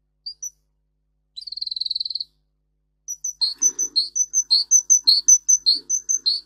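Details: Russian singer canary, bred for singing, on a training recording for canaries: two isolated high notes, a rapid buzzing trill of about a second, then a lively, regular series of high chirps and lower slurred whistles.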